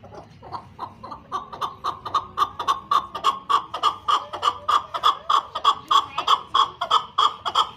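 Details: Chukar partridge calling loudly: a rapid series of sharp, clucking chuk notes, about two per second, steady and accelerating into a rhythmic chatter, with a faint murmur of voices beneath.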